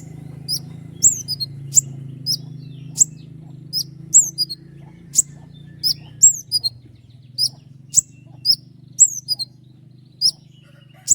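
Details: Energetic common iora giving sharp song notes for training other songbirds: crisp, high downslurred whistles and clicks spaced roughly every half second across the stretch, over a persistent low hum.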